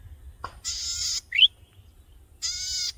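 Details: Tiny breeding-plumage male golden-headed cisticola singing vigorously from a tall grass stalk to attract a mate; a rasping buzz, a quick upslurred whistle, then another buzz, with faint low rumble beneath.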